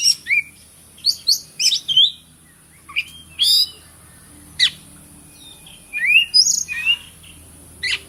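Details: White-rumped shama song for prompting other birds to sing: quick whistled slurs, sharp clicks and a buzzy burst, upward sweeping notes later, phrases coming in spurts with short silences, steady hiss in background.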